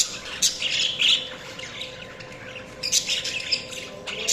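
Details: Budgerigars chirping: bursts of bright, scratchy high chirps and twitters in short clusters, a lull in the middle, then a busier run of rapid chirps toward the end, over a faint steady hum.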